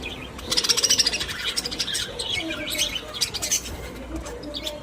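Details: Caged pet budgerigars, happy and social: dense, fast chattering warble with rapid scratchy chirps and some lower tones, several birds calling over each other against a steady background hum.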